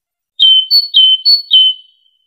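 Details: Java sparrow (Padda oryzivora) calling: three clear, high, bell-like notes about half a second apart, each followed by a higher steady note.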